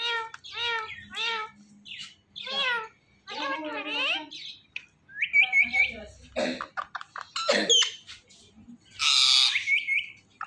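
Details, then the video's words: Two pet talking parrots: a varied run of bent whistles, speech-like harmonic phrases with falling and rising slurs, short clicks, and a harsh hissing squawk near the end, separated by brief silences. "TALKING PARROT"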